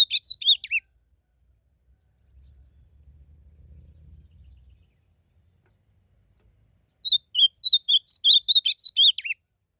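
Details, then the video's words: Wild blue-black grosbeak in a song contest: a closing flourish of whistled notes, then several seconds of near silence with low hum, then a full phrase of around a dozen rapid warbled whistles ending in downslurs. "Azulão disputando canto na natureza"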